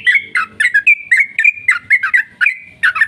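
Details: Yellow-vented bulbul in a long rapid 'ropel' song used as a lure to make other bulbuls sing: bright, slurred whistled notes with chattering edges, about four per second, uneven in rhythm.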